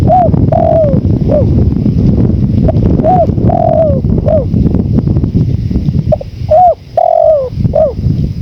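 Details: Spotted dove cooing over strong wind noise, from a recording meant for training birds: repeated phrases of soft rounded coos, each including one longer descending note, fairly steady through loud low rumbling.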